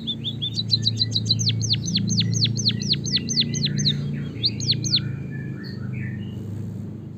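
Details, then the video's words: High, downward-sweeping chirps from a white-headed munia, used as a lure to get other birds singing, delivered in a quick, steady series before thinning out into scattered softer notes. A steady low hum runs underneath. "suara kicauan burung emprit kaji gacor"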